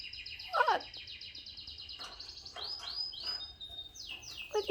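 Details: A pet budgerigar hen, recorded in a garden on 4 September 2014, gives a run of rapid chirps, then rising and falling whistled notes and squawky chatter, with a quiet background hum and nearby speech.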